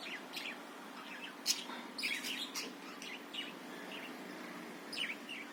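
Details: Budgerigar warbling meant as a lure for training other birds to sing eagerly: soft, busy chatter of scattered chirps, clicks and short squeaky notes, fairly quiet, with a faint steady hum underneath.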